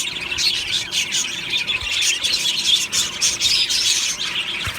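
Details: Many budgerigars in an aviary singing and chirping contentedly in the morning; lively high-pitched chatter with rising and falling warbles and occasional harsher squawks.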